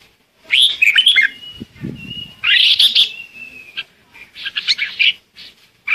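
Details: Red-whiskered bulbul giving a flock-calling lure song: tumbling warbled phrases with a thin sustained whistle between them, plus a brief low rustle near the start.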